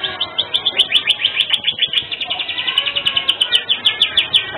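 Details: Canary in full, lively song with unique phrasing, recorded as tutor material for training songbirds: fast run of bright, sharp repeated notes, about three per second, forming a continuous high chattering trill throughout.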